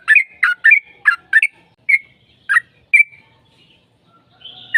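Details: Sooty-headed bulbul singing to draw out another bird: a quick series of bubbly chirps, then slower single notes with gaps, a brief quiet spell, and a louder note at the end.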